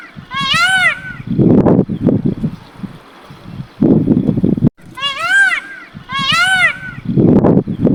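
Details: Indian peafowl calling: two pairs of loud, wailing, arched notes rich in harmonics, each pair given in quick succession, separated by stretches of low rumbling noise and voice-like sounds.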